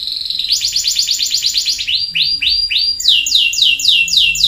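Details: Singing canary moving from a rapid rattling trill into slower repeated swooping whistles, then a bright series of descending notes, high and unbroken.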